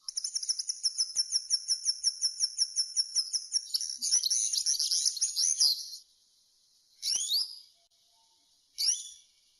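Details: Serin singing in the campero style: a long series of about twenty crisp, evenly spaced high chirps that speeds into a fast jingling trill, followed by two brief down-sweeping chirps after a pause.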